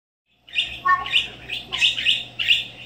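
A parakeet gives about six quick, scratchy, high chirps in a little over two seconds, with a brief warbled note among them over a faint low hum.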